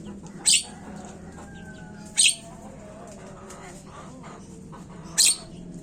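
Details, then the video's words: Javan myna (jalak kebo), a lure recording meant to get birds calling fast: three loud, rasping, noisy bursts spaced roughly two to three seconds apart, with faint thin whistles between and a constant low background hum. "Pancingan burung jalak Kebo cepet bunyi"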